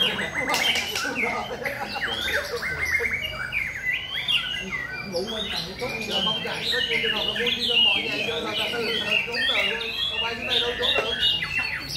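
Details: White-rumped shama singing in a rhythmic style: a dense run of varied whistled notes, rising and falling slurs and quick chirps, with overlapping phrases and steady background noise.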